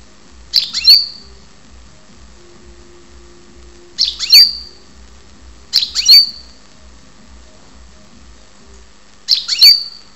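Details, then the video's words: European goldfinch kept in Ptolemaida, Greece, calling in a quiet room: four separate bursts, each a quick buzzy chirp ending in a clear thin whistle, spaced about two to four seconds apart. "karderina Goldfinch"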